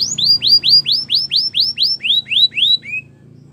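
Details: Belgian canary singing a series of about ten upswept whistled notes, roughly four per second, closing on one lower, softer note, with a faint low hum beneath.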